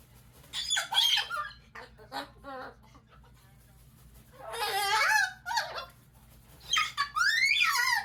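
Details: Pet umbrella cockatoo (Cacatua alba) indoors makes bursts of squeaky, chattering and harsh wavering calls, some rising, in irregular runs with pauses between.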